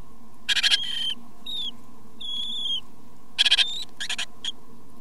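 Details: Great tit chicks being fed by their parents: two short bursts of harsh, raspy chattering calls about three seconds apart, with thin, level whistled notes between them, over a steady low hum.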